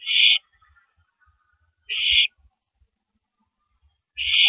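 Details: Feeding on a big rabbit before downing it, a female owl utters three coarse hissing bursts about two seconds apart on April 9, 2012, 3:33 AM, with quiet knocks between them.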